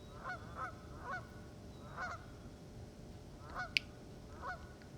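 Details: Geese honking loudly at a wetland of ponds and marshes, a loose series of nasal two-part calls every half second to second, with a brief sharp click and low background rumble.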